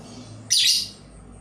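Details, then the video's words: A single brief, shrill, sharply rising burst of chatter from a labet bird kept as a lure to attract other labet birds, set against a soft low hum. "Burung lakbet pemikat untuk memancing Burung Labet lain"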